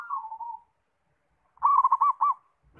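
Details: Zebra dove (perkutut), described as singing freely, gives a gentle falling coo, then after a silence a loud quick run of four or five rolling, bubbling coo notes.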